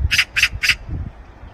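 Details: Eurasian magpie, a resident bird living in flocks, gives three harsh, rasping, broadband chattering notes in quick succession, then falls silent over faint low rumbling background noise.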